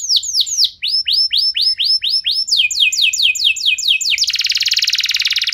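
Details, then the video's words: Canary singing as a lure for other canaries: series of down-slurred notes at changing pitch, repeated roughly twice a second, ending in a dense, fast, buzzy rattle. "Kenari Anda Bisa Gacor Seketika Dengar Pancingan Kenari Nembak Joss Ini"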